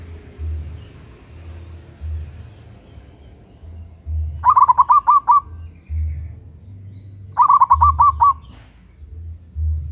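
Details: Female local zebra dove calling to a male, loud and used to lure birds: two rapid phrases of six or seven mellow, bubbling coo notes about three seconds apart, against a pulsing low-pitched hum.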